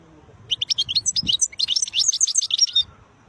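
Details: European goldfinch of the khlawi (wild) kind delivering beautiful notes: an unbroken, quick, high twittering phrase of about two and a half seconds, bright liquid notes mixed with short trills.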